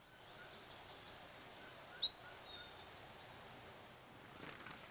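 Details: An Abert's Towhee in cottonwood-willow riparian forest on the San Pedro River, southeastern Arizona, gives its territorial peep call: a single sharp, high, very brief note over outdoor hiss, with faint chirps from other birds.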